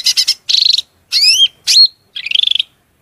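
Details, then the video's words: Piercing cucak rante masteran song with mimicry fill-ins of murai, cucak ijo, kacer and cendet: stuttering buzzy trills broken by two bright swooping whistles, then another rapid buzzy rattle. "MASTERAN SUARA MELENGKING CUCAK RANTE GACOR FULL isian Materi mewah"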